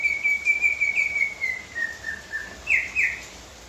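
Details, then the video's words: Leafbird, locally called murai daun kuningan, singing a run of clear whistled notes that slowly descend in pitch, then two sharper, louder rising notes near the end, over a light background hiss. "murai daun kuningan"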